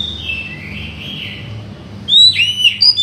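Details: Oriental magpie-robin song used to coax a quiet bird into singing; a soft, drawn-out whistle falls away, then loud, sharp, clear whistled notes with downward bends break in near the end, over a faint background hum.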